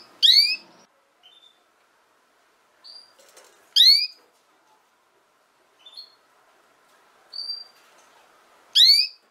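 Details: Female canary giving three loud, rising, harmonic-rich notes about every three and a half seconds, with short thin high whistles between them.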